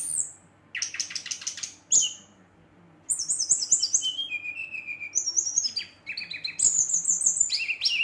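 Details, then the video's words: Brown-chested jungle flycatcher in full song after dark, provoking other males: bursts of rapid buzzy chips, then a string of high whistled phrases stepping down in pitch, with short pauses between phrases. "SRDC Gacor Ngeroll, Sikatan Rimba Dada Coklat ngamuk memancing emosi srdc lain"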